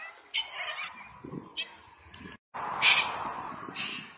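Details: Umbrella cockatoo among white cockatoos in a wrestling match or fight, giving harsh, broadband squawks in short bursts, with a louder grating outburst near the end amid scuffling noise.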